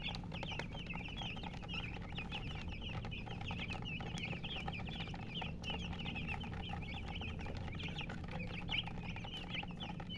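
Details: A brood of chicks chirping nonstop, shrill little peeps overlapping several times a second over a constant low droning background.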